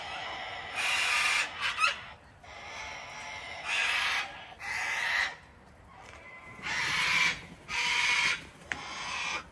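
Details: Wild cockatoos, a whole flock being hand-fed on a home deck in Australia during cold, wet winter weather, give harsh grating screeches in bursts of about a second, several in a row with short quiet gaps.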